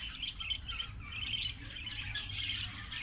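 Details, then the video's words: Colony of Australian parrots in Karachi, chattering together in dense overlapping bursts of high, scratchy warbles and chirps, with short pauses, over faint low background rumble. "Australian Parrots Colony"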